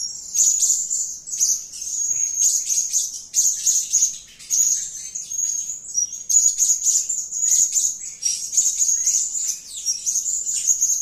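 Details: High, shrill calling from an energetic serindit, or blue-crowned hanging parrot: busy, unbroken twittering in very high, thin notes, fast and chattering, with sharp squeaky accents scattered through the whole stretch.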